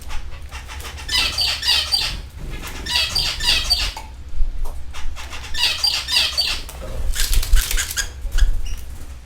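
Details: Canaries in a canary haven kept for bird lovers; dense, buzzy warbling phrases of one to two seconds, given four times with short gaps, over a low steady rumble.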